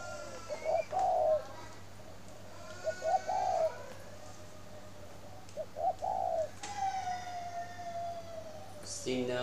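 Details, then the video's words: A spotted dove at a bird garden in Ba Vì, Hanoi, Vietnam, sings in the morning: soft, low, mellow coo phrases of a few notes every two and a half seconds, over a steady whining tone and background hum. "CHIM CU GAY HAY mỗi buổi Sáng"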